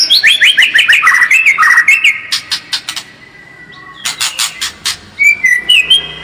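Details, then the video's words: White-rumped shama lure song meant to make the bird more combative: cascading, descending whistled notes with dry clicks, a quieter gap, then bursts of clicks and a few short whistles. "SUARA PANCINGAN MURAI BATU AGAR MENTAL SEMAKIN FIGHTER"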